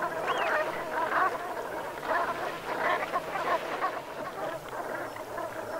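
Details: Brent geese calling at sunset in the Gulf of Morbihan, Brittany, France, on 7 November 2021 in autumn; a dense, overlapping chorus of low throaty murmurs and short grunts from a flock, with no clear gaps.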